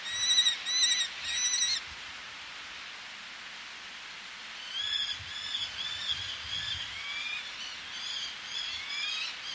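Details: Eleonora's falcon calling at close range, a male with females answering from ledges, sea audible below; three loud harsh harmonic bursts open, then fainter repeated rising squealing calls from several birds over steady surf noise.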